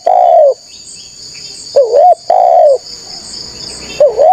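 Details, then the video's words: Spotted dove lure call aimed at drawing out wild rival doves: long falling coos alternating with short warbled double notes, spaced by pauses of about a second, insects shrilling throughout. "TEKUKUR GACOR SUARA MERDU_5 DETIK NYAUT PANCINGAN TEKUKUR NGALAS CARI LAWAN"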